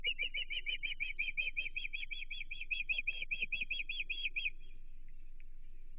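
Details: Agitated osprey at a Chesapeake Bay nest on 15 June 2023, facing an intruder: insistent, evenly spaced high chirps in a fast series lasting over four seconds before falling quiet.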